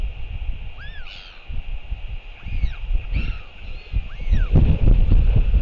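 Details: Royal albatross, an adult male coming home to feed its chick on a New Zealand nest camera, 28 March 2023 at 7:58 pm. Four curved, downslurred calls sound amid loud buffeting wind.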